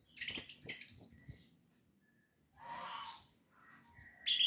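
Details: Orange-headed thrush in gacor teler song rich in material: three loud, rapid bursts of high, chattering, sliding notes, then a soft buzzy phrase after a silence, and a fresh high burst starting at the end.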